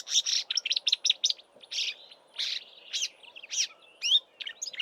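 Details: Elusive marsh warbler singing from a roadside bush in the Eastern Cape in March, mimicking southern African species: clusters of loud harsh chattering notes broken by short pauses, some thin whistles near the end.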